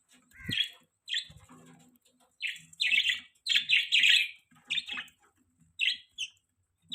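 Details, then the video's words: Pet budgerigars chirping indoors: bright, slightly buzzy chirps and short warbles repeated in quick bursts, several overlapping, with faint clicks and rustling underneath. "Beautiful Budgies Parrots Chirping Sounds"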